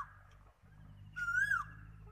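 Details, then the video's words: Single koel note, a clear whistle with strong overtones that climbs gently and then dips sharply, over a steady low droning background. "কোকিলের ডাক"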